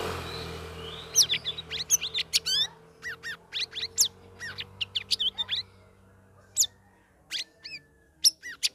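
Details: Caged lesser green leafbird after three weeks of ombyokan group training, singing a dense ngeriwik ngeplong phrase of rapid twittering, high whistles and sweeping notes, easing into spaced chirps, with low background hum.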